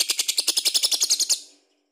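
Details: Lovebird ngekek song, meant to spur other birds to sing: a rapid rattling chatter of about fourteen sharp, buzzy pulses in just over a second, then fading out.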